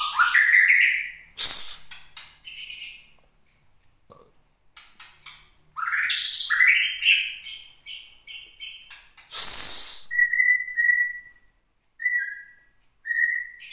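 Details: Captive white-rumped shama from the Gunung Leuser area, Aceh, kept almost a year, singing angrily after being provoked by bird-contest sounds. Varied phrases: rising whistled sweeps, harsh noisy bursts, and level whistled notes repeated near the end.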